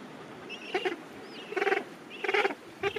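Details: Gentoo penguin colony at the end of summer, a rookery packed with thousands of fish-eating birds. Short, hoarse, harmonic bursts repeat about every 0.7 seconds, four in all, with thin rising whistles from other birds behind them.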